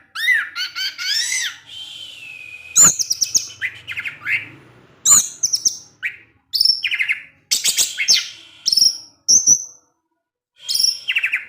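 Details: Songbird orange-headed thrush, kept in care, in 'ngecip ngecis teler' style: arched chirps and sharp high notes fired in tight bursts, a sustained whistle early on, short silences between groups.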